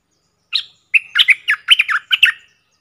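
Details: Decoy bulbul, one of four, calling on 31 July 2021: a single lead note, then a quick rhythmic string of clear, slightly warbling chirps, loud and close with no background noise.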